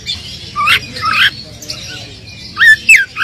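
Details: Oriental magpie-robin song played to provoke a dull bird into answering: scattered sweeping whistled phrases with short gaps, ending in a few bright clear notes, against a low steady hum.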